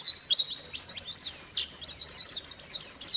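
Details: Rapid twittering from a white-eye, recorded as a lure for birds that have stopped singing: quick high chirps and looping whistled notes in bursts, with a short dip in loudness in the middle.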